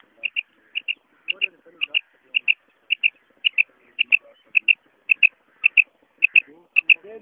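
Female common quail giving short, high paired notes, two quick chips repeated about every half second in a steady run, with faint low murmurs behind.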